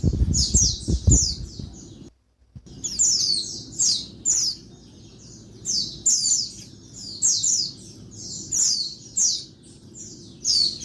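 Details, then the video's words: Female Oriental white-eye giving noisy daytime calls meant to provoke males: rapid high descending squeaks in clustered bursts, a brief silent break early on, and low knocking sounds at the start. "Bird Pleci Betina Suara Ribut bikin Bird Jantan Gacor (siang)"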